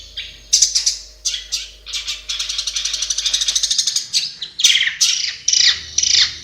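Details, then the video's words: Long-tailed shrike in its natural habitat delivering a varied song: scratchy high bursts, then a long run of rapid buzzy repeated notes, ending in loud sharp squeaky phrases. "SUARA BURUNG CENDET DI HABITAT ASLINYA"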